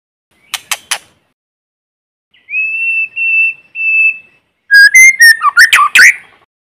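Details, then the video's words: White-rumped shama used as a decoy, singing in forest to provoke others: three short clicks, a steady whistle broken into three segments, then a quick phrase of sweeping, warbled notes, with no background noise. "Tiếng chim Chích chòe lửa mồi hót kích bổi không tạp âm | White-rumped Shama singing in forest"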